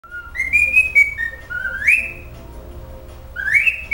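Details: A pet cockatiel practises its favourite song, whistling a tune of clear, sliding notes that step up and hold, then rise again in swoops, in a quiet room.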